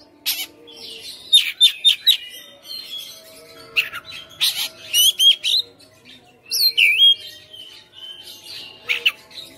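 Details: Captive-bred Oriental magpie-robin singing persistently in fighter style, unloading its repertoire: bursts of sharp whistles, upward and downward sweeps and buzzy notes in quick clusters with short pauses, over a steady low hum.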